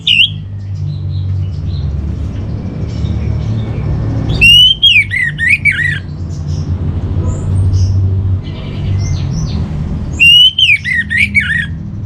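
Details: Orange-headed thrush master song, used as a training recording for home-kept birds: two loud, rich warbled whistle phrases of rapid rising and falling notes, each about a second and a half, over a steady low rumble and faint distant chirps.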